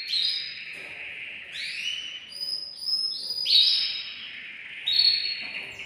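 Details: Male canary singing from a cage to prepare a female for breeding; sustained buzzy rolling trills with rising whistled slides between phrases.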